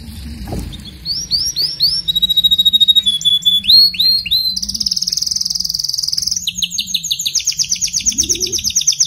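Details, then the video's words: Canary song played to encourage a weak singer: a fast run of varied high trills, with rapid repeated notes, sweeping phrases and long buzzy rolls that shift pitch every second or so, over a faint low hum. "إذا لديك كناري ضعيف في تغريد سمعه هذا الغناء وشاهد الكناري ماذا يفعل"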